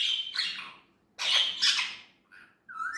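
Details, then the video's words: Natural-voiced talking Indian ringneck parrot: two loud, grating, squawky phrases separated by a short gap, ending with a softer clipped note and a rising whistle-like sound. "Natural talking parrot voice"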